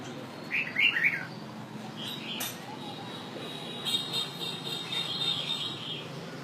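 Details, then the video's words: Red-whiskered bulbul from northern Vietnam, kept as an ornamental bird, opens with a lively warbled phrase of rapid high notes, followed by softer whistles and thin high tones amid background noise. "Chào Mào Miền Bắc Hay"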